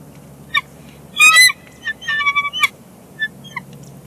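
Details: Bald eagle pair at their nest at Big Bear Lake on 1 March 2021, calling to each other during a nest shift change: short sharp chips, then a burst of high, buzzy, harmonic chattering notes and scattered thin squeaks.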